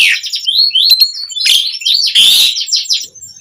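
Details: Asian pied starling singing continuously, used as a lure to prompt other starlings to sing: shrill whistled notes, rising and falling, broken by harsh broadband rasps and buzzy bursts.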